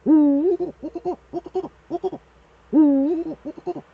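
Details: Eurasian eagle-owl duet with the male at the nest, Eifel, 13 December 2013 at 17:25 in the evening: two long, deep, wavering hoots about two and a half seconds apart, separated by quick series of short, lower pulsed notes.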